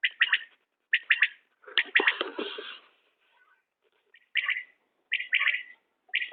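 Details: Common quail giving repeated clipped three-note phrases, spaced about a second apart, with a louder, rougher broadband rustle-like burst in the middle and quiet gaps between calls.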